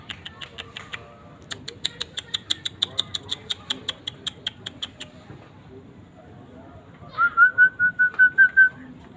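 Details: Asian fairy-bluebird: a run of sharp, evenly spaced clicks first, then a closing phrase of seven or eight loud, liquid whistled notes on a steady, slightly rising pitch.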